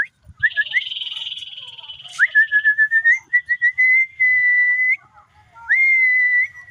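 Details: Common iora, tame and singing actively, opens with a harsh buzzy rattle, then rapid short whistles running into long, steady, clear whistled notes, each held about a second.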